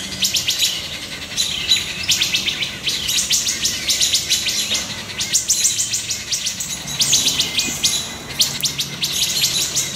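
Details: Wood thrush alarm calls while mobbing a juvenile great horned owl near its nesting area, July 2019; dense bursts of sharp, high chirps repeated rapidly throughout, with other small birds joining the mobbing.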